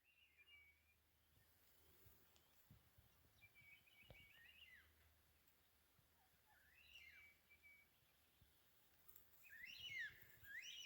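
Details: Distant birds, identified by a viewer as Carnaby's Black-cockatoos, in Western Australia's Stirling Range at about 3000 ft in spring, October 2019, give drawn-out, wailing upslurred calls a few seconds apart, the last one loudest, over faint wind hiss.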